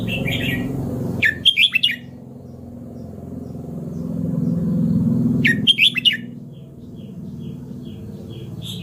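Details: Red-whiskered bulbul singing: two short bursts of quick, warbled chirping notes, about a second each and several seconds apart, over a steady low hum.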